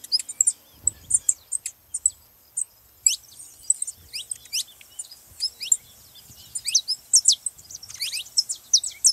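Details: Spaced, high, downward-sweeping chirps from a saffron finch, becoming more frequent near the end, sung to encourage another canary to sing; quiet background.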